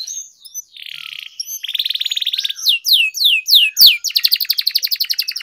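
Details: Singing canary from Indonesian training recordings of long rolling kenari song: buzzy rapid trills give way to loud falling whistled swoops, then a fast repeated chattering trill.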